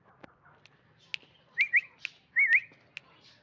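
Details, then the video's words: Francolin calling: two short, high, whistled phrases, each a quick zigzag rising note pair, about a second apart, among scattered sharp clicks and a low background hum. "Teeter ki awaz / teeter voice / Francolin sound"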